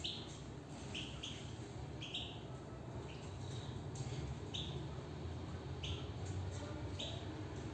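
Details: Goldfinch in a cage, repeating crisp clipped chirps at irregular intervals of under a second, steady and lively, with continuous low-pitched background noise throughout.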